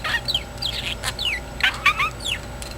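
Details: A sleepy pet talking parakeet, a male, kept indoors, gives quick chirps and short rising and falling whistled notes in a rapid irregular series, with a soft hum in the background.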